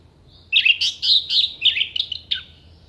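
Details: Orange-headed thrush singing in an energetic, active style, with sharp mimicked phrases used as filler song for songbird contests: a quick run of clear, warbling and chattering notes lasting about two seconds in a quiet setting.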